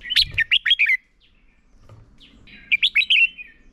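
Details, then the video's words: Red-whiskered bulbul decoy singing in competition to train other birds: two short phrases of four or five clear, slurred whistled notes separated by a quiet gap, with a soft low thud between them. "Chào mào mồi hót đấu quá tuyệt - Luyện giọng Chào mào hót hay ép bổi sổ bọng và căng lửa"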